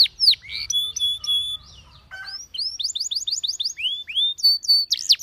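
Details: Singing canary calling other canaries to join in: sharp down-slurred notes, long level whistles, a brief buzzy burst, then a string of quick rising chirps and high whistled notes.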